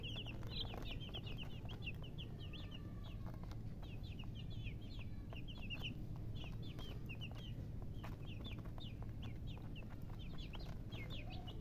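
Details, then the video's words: Young chickens chirping continuously: rapid series of thin, high, downslurred peeps from several chicks, coming in bursts and short pauses over a deep steady drone. "Baby "Chicks Chirping" Sound"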